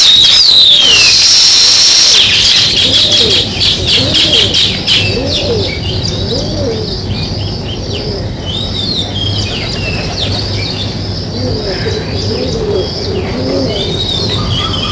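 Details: Sparrow chirps recorded in nature: a loud flurry of sharp high tweets at first, then steady repeated chirping with short rising and falling notes, over a faint buzzing drone and distant low hum.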